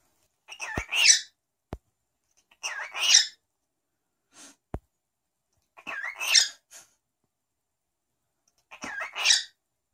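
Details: Pet cockatiel saying the Korean greeting annyeonghaseyo over and over, four raspy, speech-like phrases spaced about two seconds apart, with a few sharp clicks between them in a quiet indoor setting.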